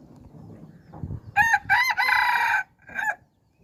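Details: Decoy rooster of hybrid stock, domestic fowl crossed with wild red junglefowl over three generations, recorded 10/1/2021, crows loudly in clipped harmonic bursts: two short notes, a longer held phrase, then a brief final note, over a quiet rustling background.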